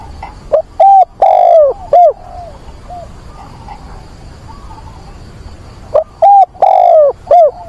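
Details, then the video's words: On a wet, windy 24 September a caged decoy spotted dove calls for a mate to lure wild doves: two loud four-coo phrases roughly four seconds apart, with soft distant coos between them. "Chim cu mồi gáy gọi tìm bạn, kích bổi, luyện bổi lỡ"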